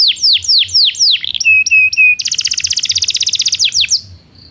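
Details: Belgian canary singing, recorded to train non-singing canaries: a few slow descending sweeps, then steady level whistled notes with high overtones, then a fast buzzy trill and two final sweeps.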